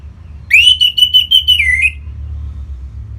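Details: Orange-headed thrush, Singaraja, North Bali, with song to prompt other birds' singing: one sustained whistled phrase of quickly pulsing notes that drops in pitch at its end, then silence.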